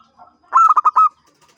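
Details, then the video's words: A champion zebra dove sings one ngancing-style phrase: five loud, quick, hollow cooing notes run together over about half a second, with a soft lead-in note before them. "SUARA BURUNG PERKUTUT JUARA GACOR NGANCING"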